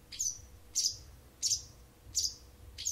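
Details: Wild bird singing to an indoor cat, as it has every morning and evening for almost a month: five sharp, high chirps, each a quick downward-sliding note, spaced about two-thirds of a second apart, with a low background hum.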